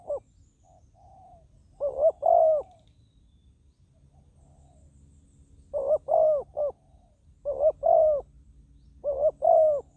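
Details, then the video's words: Spotted dove kept as a decoy for trapping wild doves on the ground, cooing in four hollow phrases of two or three notes each, the last note longest and gently falling, spaced a few seconds apart. "ต่อนกเขาใหญ่ต่อดิน ติดแล้วยังสู้"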